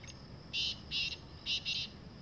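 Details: Wild black francolin, known locally as kala teetar, calling in the jungle: four harsh, buzzy, grating notes delivered in two close pairs over steady background hiss.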